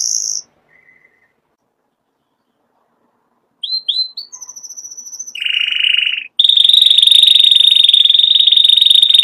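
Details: Canary song of short separated phrases: high whistled notes, upslurred chips, a buzzy lower trill, then a long steady rapid trill held several seconds, all clean with no other sounds.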